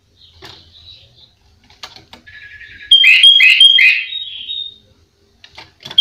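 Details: Master recording of a sooty-headed bulbul in full-isian song, meant for training other bulbuls. Soft chirps and clicks lead into a loud phrase of three rich, quick notes over a sustained whistle, then faint ticking.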